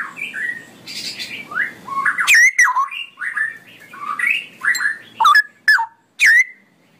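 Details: Straw-headed bulbul performing long ropelan-style song: a steady run of bubbling, slurred whistles rising and falling, ending in several loud, sharp, separate notes spaced about half a second apart.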